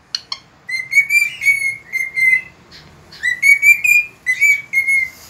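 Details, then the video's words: Cockatiel whistling at daybreak, dated 3 September 2019: two quick high chirps open, followed by sustained rising and falling whistled notes in two groups with a brief gap between. "Calopsita cantando ao amanhecer"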